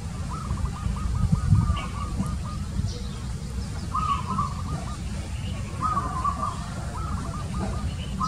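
A zebra dove gives bursts of soft, rapid staccato cooing notes, each run lasting about a second and repeated several times, over a steady low rumble.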